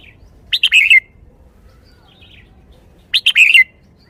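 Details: Caged red-whiskered bulbul singing in shaking-bottle style: two nearly identical phrases of quick bright notes sliding down to a slurred finish, spaced about two and a half seconds apart.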